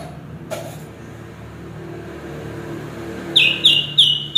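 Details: Chestnut-capped thrush singing: four short, sharp whistled notes at one high pitch in quick succession near the end, over a steady low rumbling hum.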